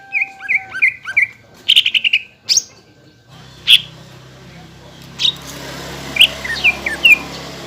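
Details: Greater green leafbird song used to lure caged leafbirds, both wild-caught and group-kept, into singing: clear whistled phrases and short falling notes, then a burst of rapid chips, followed by scattered sharp whistles over a quieter hum.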